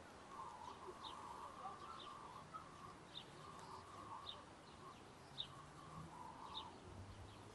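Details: In Murinsky Park on 3 June 2018, a mallard hen with ducklings gives low, soft chattering in short bursts, with thin high peeps repeating about once a second over steady background hiss.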